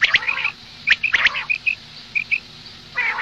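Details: Morning calls of a female common quail: a few harsh nasal bursts, then clean high pips given in pairs, with short silences between the groups.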